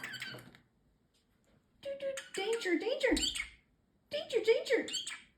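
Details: Talking male parrotlet indoors, repeating his phrases: a short breathy phrase, then a long burst of quick, chattering speech-like syllables and a final clipped phrase.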